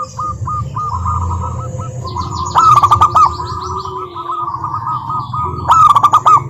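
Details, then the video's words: Local zebra dove song meant to coax other doves into singing; a string of short even coos runs into fast rattled bursts, two such phrases a few seconds apart, over low humming noise. "Perkutut Malas Bunyi dijamin NYAUT GACOR LANGSUNG dengar pancingan masteran Kutut lokal ini"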